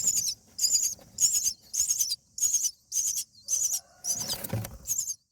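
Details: Common myna parent at its nest, day eight of feeding young, sounding a strange call to bring its mate out to fight nest bugs: regular harsh, high buzzy bursts about twice a second, then a brief scuffling noise.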